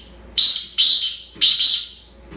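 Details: Desi-strain black francolin kept in the UK giving its harsh call: three rasping, buzzy bursts in close succession, each sudden onset trailing away, with little else audible.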